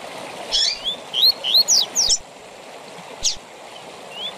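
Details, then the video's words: Coleiro, the double-collared seedeater, giving a 'tui tui zel zel' phrase used as a training song for seedeaters. A run of five or six upslurred whistles and steep downward zips, then one lone buzzy note, with constant rushing background noise. "TUI TUI ZEL ZEL DE FIBRA TOP PARA ENCARTE DE COLEIROS E PAPACAPIM"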